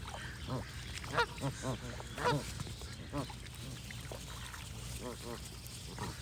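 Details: A flock of geese calls constantly, short nasal honks stacking over one another, a few louder bursts standing out near the start and middle, over a low background rumble.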